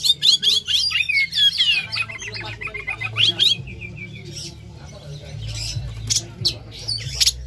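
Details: Captive Oriental magpie-robin singing to trigger song in other birds: fast trilled whistles, then scattered sharp chips and buzzy notes, with a low hum.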